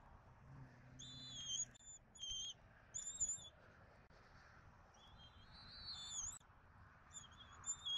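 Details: Bald eagles calling at their Southwest Florida nest during dinner, recorded 14 February 2024 by nest camera, with adults and an eaglet present. High, squealing whistles repeated in bursts every second or two, some rising.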